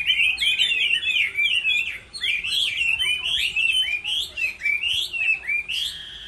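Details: Chinese hwamei competing in a singing contest while moulting: a fast, energetic stream of rich, rolling whistled notes delivered in quick bursts, with one short pause near the middle.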